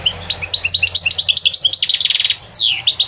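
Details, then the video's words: Continuous, fast goldfinch twittering: liquid, high, chirping notes crowded together, with a buzzy trilled stretch and a single sweeping downward slur near the end. "Singing the goldfinch is amazing song"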